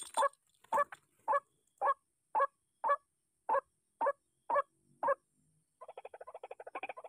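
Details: Angered by a noisy MP3 decoy, a white-breasted waterhen gives about ten hoarse croaks at half-second intervals, then switches to a faster, stuttering run of short chattering notes.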